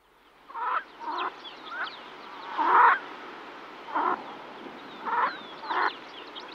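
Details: Female yellow-billed pintail calling to her ducklings, recorded close up: short harsh nasal calls in uneven bursts, about seven across six seconds, with a songbird's thin high chirps nearby.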